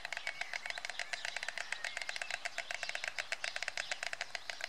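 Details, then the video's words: White stork greeting its partner at the nest by the Elbe on 16 June 2016: rapid, dry, wooden bill-clattering, a dense run of sharp broadband clicks sustained through the whole stretch. "Weißstorch - Begrüßung des Partners am Nest"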